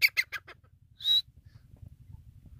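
Grey francolin giving four quick, loud, harsh notes followed by a single high, clear whistled note, with a faint low rumble in the background.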